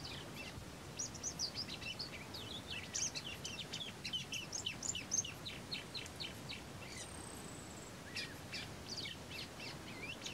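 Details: Rusty-collared Seedeater (Sporophila collaris) singing at Estación Los Tres Gigantes, Paraguayan Pantanal: a fast, varied run of high chirps, trills and whistles, with a long thin whistle near the end, over a steady low background hiss.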